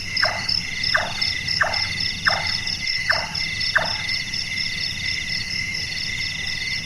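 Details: Large-tailed nightjar (Caprimulgus macrurus), known locally as burung tukang, a night-active bird whose voice is likened to a carpenter at work: six knocking chonk notes falling in pitch, roughly one every 0.7 seconds, over steady insect trilling.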